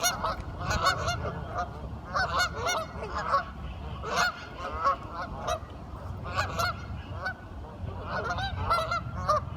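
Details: A busy group of curious ducks talking, with dense overlapping nasal quacks and honks in quick irregular bursts throughout.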